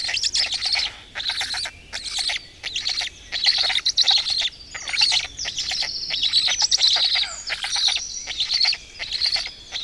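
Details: Black storks at the family nest in Estonia on a morning in May 2018. Raspy, buzzing bursts repeat steadily, some run together into longer stretches, and a faint whistle is heard in the background.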